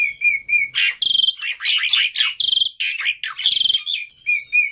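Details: Black-winged myna, an agitated fighting bird serving as a tutor for silent starlings, alternates soft whistled chirps with loud buzzy grating squawks and rapid scratchy chatter, returning to thin chirps at the end.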